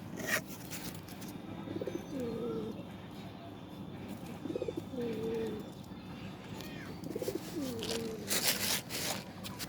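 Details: Domestic pigeons gathering to be fed give three low, throaty coos spaced a few seconds apart, over steady background rustle, with brief clattering noises near the end.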